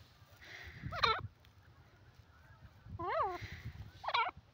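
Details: Grey francolin calling: three loud, harsh notes rich in overtones, each swooping up then down, spaced at about one, three and four seconds, over a low steady background rumble.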